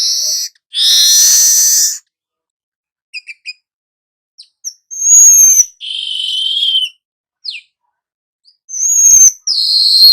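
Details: Weaver singing in 'nyerut' style: loud hissing buzzes alternating with thin, sliding whistles, soft scattered ticks and brief high chirps, separated by gaps.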